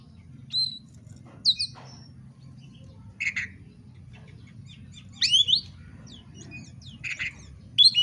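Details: Oriental magpie-robin song meant to provoke another bird into fighting: separate short phrases of sharp whistles and rasping chips, spaced a second or two apart, over a constant low hum.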